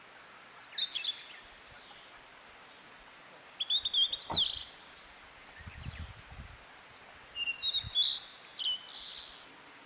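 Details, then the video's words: Wild niltava in full song, giving several separate high, clear whistled phrases of sliding and dipping notes spaced a few seconds apart, with soft low rustling between phrases and a constant faint hiss. "burung niltava gacor liar"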